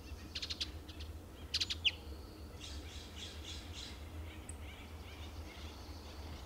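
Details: Adult male Western Bluebird on pine trees in Del Monte Forest, California, gives a few quick, sharp chips, then a softer run of short chattering notes, over a steady low rumble.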